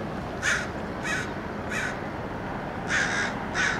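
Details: Roadside in Del Monte Forest, California: American crows dive-bomb a perched red-tailed hawk, giving five rough, grating caws in uneven bursts, two of them close together near the end, against a steady background hiss.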